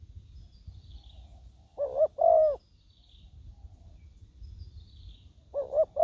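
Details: Decoy spotted dove calling on the ground to attract wild doves; two paired coos, each a brief lead note followed by a longer mellow one, separated by a long pause over soft low background noise.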